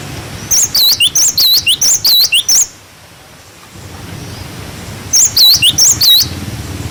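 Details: Cinereous tit song for tutoring young birds: two bursts of rapid, high whistles with dipping, looping notes, stacked in quick runs, separated by a brief silence of about two seconds.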